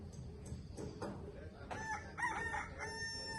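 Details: Roosters kept by construction workers living in nearby huts in suburban Bali (owner thinks they are kept for fighting), crowing constantly; one gives a distant, harmonic, drawn-out, slightly wavering crow after clattering rooftop construction noise.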